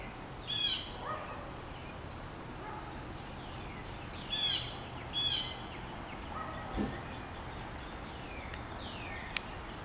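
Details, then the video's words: A distant apparent Northern Bobwhite, or possibly a good mimic, gives three short slurred whistled calls several seconds apart in a residential backyard in Macon, Georgia, on June 12, over background hiss; Northern Bobwhite. "Northern Bobwhite calling"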